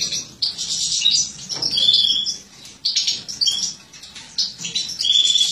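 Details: Captive-bred mutant European goldfinch female feeding young; bright high chirps and twittering notes in short bursts, with a few clear whistled tones held steady, amid soft cage rustling.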